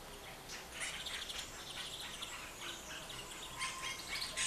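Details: Monk parakeets in Rome give harsh, grating squawks and chatter in rapid overlapping bursts, several birds calling at once.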